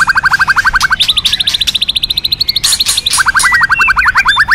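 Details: Rapid, steady series of clipped notes from a White-rumped shama in a training song, shifting between a low and a higher pitch band and then back, with faint whistles in between.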